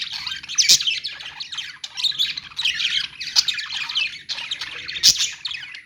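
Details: Flock of pet-store budgerigars warbling nonstop: rasping, buzzy chatter mixed with bright chirps and a few sharp high squeaks.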